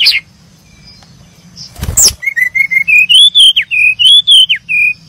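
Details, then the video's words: Chirping brown-chested jungle flycatcher: after a brief rustle, a quick run of short whistled notes, some rising and some sharply dropping, repeated about once a second over a quiet background. "the sound of brown chested jungle-flycatcher birds chirping"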